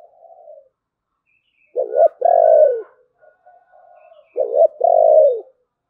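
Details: Spotted dove, 'thổ bầu' voice style, giving two phrases about two and a half seconds apart, each a short broken double note and a sustained hollow coo that sinks at the end, soft notes between.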